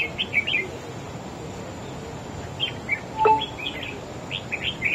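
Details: Wild-caught red-whiskered bulbul singing against a competing bird: scattered short warbled phrases at the start, middle and end, plus a sharp click near the midpoint, all over a hissy backdrop.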